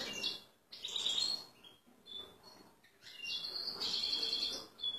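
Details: Excited male European goldfinch ready to pair with a female canary, singing scattered high chirps and twitters, then a sustained rolling, ringing trill with buzzy overtones near the end.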